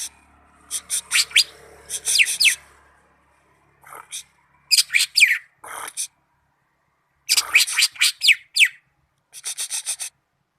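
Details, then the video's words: Cucak ijo, the greater green leafbird, recorded in Malinau, gives clustered bright falling whistles and rapid chattering notes in bursts with short silent gaps, over faint low background hum at first. "Cucak ijo mania malinau vs raja kicau"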